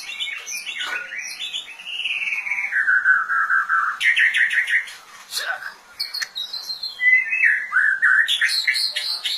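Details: White-rumped shama singing a varied song of clear whistles, slurred descending notes, buzzy trills and sharp high chips, phrases changing every second or two.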